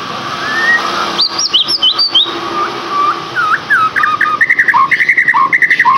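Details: White-rumped shama song used to lure or stimulate a captive bird to sing: varied whistled phrases, high slurred notes early, then rapid repeated chirping notes alternating low and high, with a steady background hiss.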